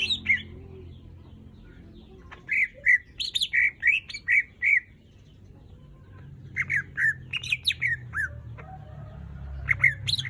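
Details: Greater green leafbird in lively song, used as a lure to prompt other birds: bursts of short whistled and chattering notes in two bouts separated by a quiet gap, over low background rumble.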